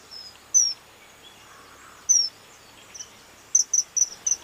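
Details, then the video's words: At Medhe in the Tilari area, a common kingfisher gives piercing high whistled notes, first spaced singly, then a fast run of four sharp notes near the end, over soft background hiss. "Common Kingfisher"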